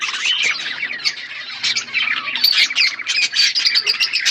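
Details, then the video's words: Budgerigar flock eating food, filling the air with loud overlapping chirps and harsh squawky notes in a constant high chatter. "Birds chirping beautiful budgies flocks birds eating food"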